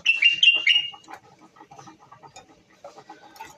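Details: Moroccan bulbul giving a short burst of bright whistled notes in the first second, several quick rising and falling phrases, then only faint scattered chips and soft background noise.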